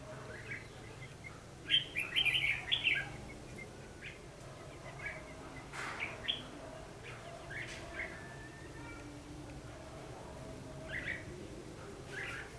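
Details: Red-whiskered bulbul in a fight-trapping session on 14 December 2015 delivers a loud, rapid jumble of bright chirped notes, then scattered faint calls over a low background hum.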